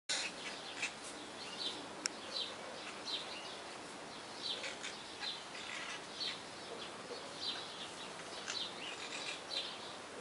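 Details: Free-flying wild parrots calling: many overlapping harsh, high squawks and chirps scattered densely throughout, with steady background hiss.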